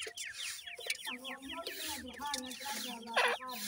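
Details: New-season grey partridge chicks tended by parents, giving rapid overlapping high chirps that slide downward, mixed with lower drawn-out tonal notes and a brief louder burst near the end.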